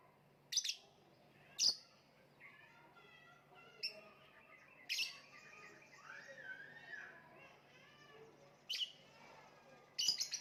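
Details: Lovebird letting out scattered sharp, high chirps between softer, wavering whistled notes in the middle stretch; the chirps are abrupt and harsh, with a low hum behind.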